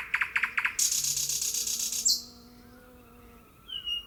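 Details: Nightingale of the thrush species in natural song: four quick sharp notes, then a hard, fast rattling trill lasting over a second, a falling whistle, and near silence with a faint distant whistle.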